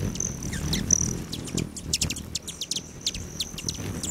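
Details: Hummingbirds around hanging feeders on a lodge patio beside Great Sand Dunes National Park, Colorado, at 9:14 AM on July 29. Dense bursts of piercing chips and squeaky twitters run over a sustained, thin, high-pitched buzz.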